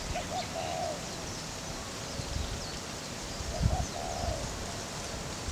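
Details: Laysan albatross (Moli) chicks and adults at Princeville, Kauai, Hawaii, in May, with chicks stretching and being fed. Two short series of mid-pitched, hoarse, drawn-out calls, about three seconds apart, over steady outdoor background noise and a brief low thump.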